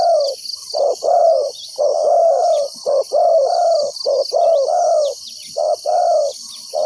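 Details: Spotted dove (Spilopelia chinensis), decoy call: calling wild doves toward a trap.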